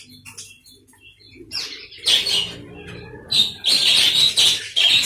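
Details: Budgerigars in an aviary colony; quiet scattered chirps at first, then loud bursts of warbling chatter from several birds, repeated in quick pulses.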